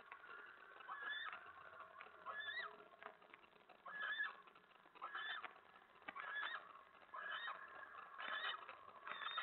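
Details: Eastern screech owl chittering inside a hideout late at night in February 2017 after a scolding from its mate: bursts of quavering, whinnying trills rising and falling, repeated roughly every second or two with faint rustling between them.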